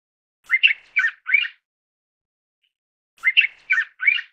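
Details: Two matching phrases of grating, chattering notes from a mountain bulbul, each a quick cluster of about four squawks, repeated after a pause of under two seconds, with nothing else audible.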